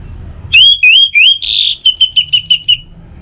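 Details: Orange-headed thrush singing as a morning and evening lure for other birds: three clear, rising whistled notes, a harsh buzzy burst, then a quick series of repeated bright chips.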